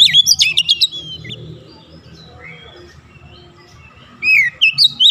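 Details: Oriental magpie-robin song used as a lure to provoke a silent bird into singing: a loud burst of rapid, sweeping whistled and chattering notes, a quieter stretch of soft notes, then another loud burst, over a low hum.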